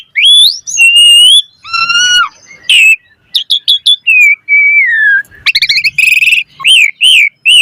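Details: Asian pied starling lure song with rich fill-in variety: a rising whistle, long steady tones, brief clicks, a falling drawn note, then harsh rattles and arched whistles.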